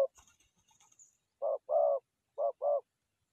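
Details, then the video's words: Doves in forest trapping setting: after a moment of faint scratchy rustling, two paired coos sound, each a quick short note followed by a longer, rounder one. "Good Trap Forest Doves"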